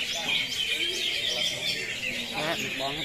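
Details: Greater green leafbird (cucak hijau) singing in the 'tembakan kapas tembak' style: dense, rapid high chirps and twittering trills run without pause, with a few lower warbled notes near the end.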